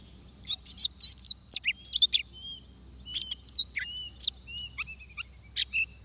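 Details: Song of an oriental magpie-robin at a trap with a decoy bird: clear whistled phrases mixed with sharp chips, several long pure whistles, gaps between phrases, and a low steady hum underneath.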